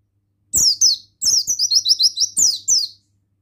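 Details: Lively male buxtoni Oriental white-eye song: a rapid chattering run of about eight high, down-slurred whistles framed by paired notes, strong and clear with almost no background.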